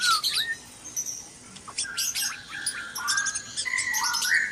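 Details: At dawn in a breeding cage, noisy white-rumped shama song: quick rising whistles and clicks, then a sequence of sustained level whistled notes at varied pitches.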